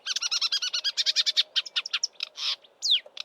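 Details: Close roadside recording of a marsh warbler mimicking southern African birds in Eastern Cape bush in March before migrating north: a rapid, regular series of about fifteen repeated chirps, then harsher buzzy notes and a descending whistled slur.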